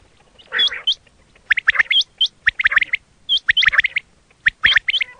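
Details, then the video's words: Quail sound used by hunters: a harsh squawk, then rapid bursts of chirping, chattering notes mixed with sharp high whistled upslurs, repeated about once a second. "quail 2024 Fresh sound Batair Ki awaz"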